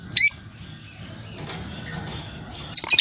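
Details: Green Fischer's lovebird pair giving two short, sharp, high chirps, one near the start and a stuttered cluster at the end, separated by a quiet stretch of low background hum.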